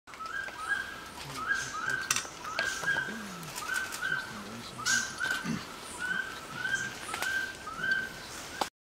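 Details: A giant antpitta at Refugio Paz de las Aves, Pichincha, Ecuador, on November 12, 2014, gives a steady series of short, hollow whistled notes over a noisy forest background.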